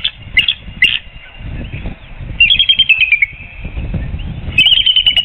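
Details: Adult female eagle at her nest with a one-day-old hatchling and a pipping egg, on a reserve nest camera in Surrey, 4 April 2021 at 2:42 p.m., standing and calling out. Thin, high chittering notes come in short pulsed bursts that slide downward, over a low rumbling background.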